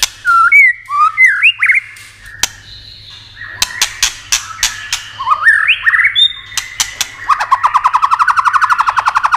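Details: A White-rumped shama's stimulating song: bright rising whistled phrases, scattered loud clicks, and a long fast rattling trill of repeated notes at the end.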